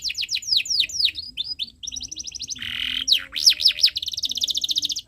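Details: Actively singing canary providing tutor song for young canaries: rapid descending whistles, a fast chattering trill, a low buzzy rattle, three swooping looped notes, then a long even trill.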